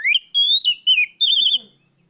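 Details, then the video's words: Oriental magpie-robin in afternoon song, a training lure for other birds: rising whistle, a long climbing note, a slurred drop, then a fast wavering trill fading out. "suara Kacer sorehari riwik plong pancingan Kacer bahan"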